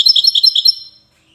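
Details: Short fragment of a European goldfinch's widani-style song from Safi, Morocco: about eight quick, bright, evenly spaced chirping notes in under a second, then silence.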